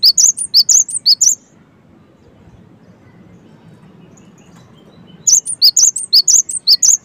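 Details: Cinereous tit singing gacor style, a rapid series of high, sharp chirped notes at about two per second, in two bursts separated by a quiet pause of several seconds, with faint low background hum.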